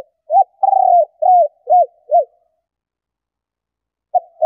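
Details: Cooing of a female spotted dove, meant to stimulate males: a long coo among several short arched hoots repeated about every half second, a pause, then two more short notes.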